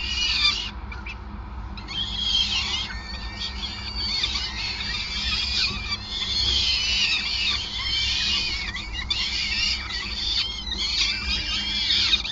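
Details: During an extended feeding at a peregrine falcon nest in Groningen, Netherlands, 5 May 2020: near-continuous thin, screechy wailing, repeated calls crowding together, a brief quieter gap early on, low hum below.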